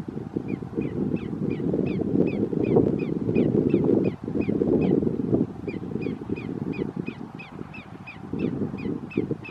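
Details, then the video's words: Greater Yellowlegs at Roxbury Park, Meggett, South Carolina, on 1/5/2019, giving clear, ringing whistled notes repeated rapidly in short series, over a steady low rumble of wind or water. "Greater Yellowlegs calling"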